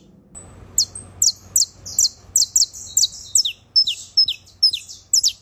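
A saffron finch sings a fast run of sharp, high, chip-like notes, about three per second, some sliding downward, over a faint low hum.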